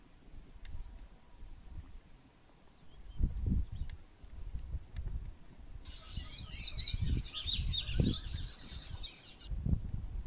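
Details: Patativa bird singing a brisk, jumbled, twittering warble of quick high notes for about four seconds midway, over low rumbling background noise and occasional clicks before and after.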